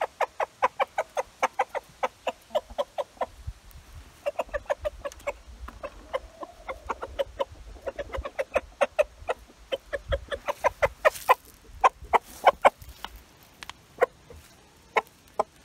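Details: Rooster calling hens over to a find of beetles and mosquitoes as a feeding treat; rapid, short repeated clucks, several per second, with brief gaps and soft low background rumble.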